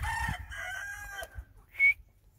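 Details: White francolin (teetar) calling: a loud, harsh, harmonic call of several joined notes over the first second and a quarter, followed by a brief thin whistle near the end, with low background rumble.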